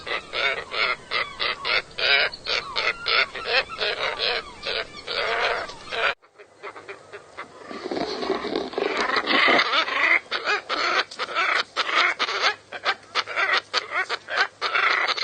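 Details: Scarlet ibis calls, many overlapping nasal, grating honks in a dense rapid series, then after a short break a noisier stretch of harsh honks and rustling with scattered clicks.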